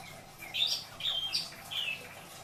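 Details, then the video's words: Long-tailed shrike kept in Indramayu, isian song: three short whistled notes, each a quick rise followed by a flat or falling tail, fairly soft. "Burung cendet isian dor... beledos"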